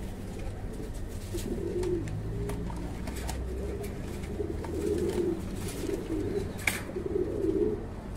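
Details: Breeding-farm fancy pigeons calling in a series of low, bubbling coos that come in close groups, with a steady background hum and a sharp click partway through.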